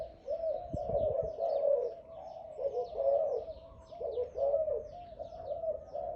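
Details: Caged Malay dove known for a big voice, cooing in a run of bubbly, wavering notes that rise and fall in short bursts. High thin chirps of other birds are heard throughout, with a few soft knocks early on.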